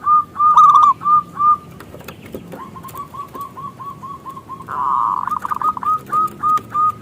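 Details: Local zebra dove singing a loud lure song used to draw other doves into song: repeated rounded cooing notes, a fast run of short coos, then a louder burst, with clicks and some background noise.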